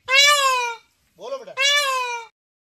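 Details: Indian peafowl, a peacock, calling back to its owner and repeating the call: two loud, harmonic, slightly falling wails of under a second each, with a man's short spoken words between them.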